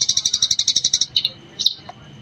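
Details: Eurasian tree sparrow in gecor style, a master recording used to train other birds: a fast run of bright, high chirps about eleven to the second for one second, then a few scattered single chirps.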